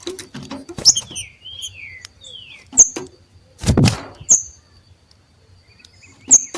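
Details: Two green-winged saltators competing in the wild; early descending whistled slurs, then isolated sharp high chips, a loud noisy rustle midway, and quieter stretches.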